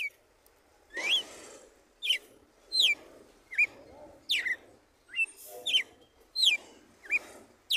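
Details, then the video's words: Morning song of a red-cowled cardinal in the 'tiro de guerra' style, described as pure wild: sharp whistled notes sweeping downward, some short upturned ones, roughly one per second, over a low hollow rumbling background. "GALO DE CAMPINA CANTO TIRO DE GUERRA"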